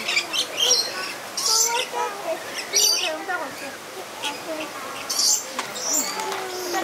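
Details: Lorikeets playing in captivity at Lowry Park Zoo in Tampa, Florida, recorded on a Sony A7S camera: harsh, broadband screeches in short bursts near 1.5, 3 and 5 seconds over steady background chatter of human voices.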